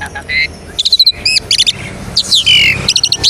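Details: Asian pied starling song serving as a lure to set off other starlings: sharp looping whistles, rapid staccato notes and a long descending whistled glide amid chattering.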